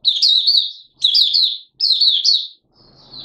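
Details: Mata puteh (Malaysian Oriental white-eye) in 'buka sing' song, Singapore, 29 March 2023: three crisp high chattering phrases about a second apart, then a fainter thin note over low hum.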